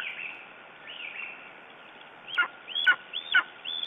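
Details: Lesser spotted eagle in Estonia, morning of 9 June 2011: after a couple of soft, thin upslurred notes, three or four loud, sharp, downward-falling yelps follow in quick succession toward the end, over a faint constant hum.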